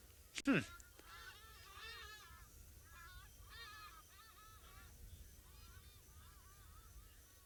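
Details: Many hadada ibises (Bostrychia hagedash) calling at dusk on an African safari, heard from a distance and approaching, growing louder: a loud, harsh, falling honk, then a stream of nasal, arched "ah, ah, hadada" notes, with a faint low rumble behind.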